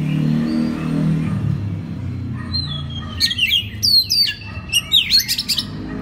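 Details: Oriental magpie-robin singing as a master recording for training other birds: after a low hum, a burst of bright whistled notes, quick descending sweeps and chattering phrases.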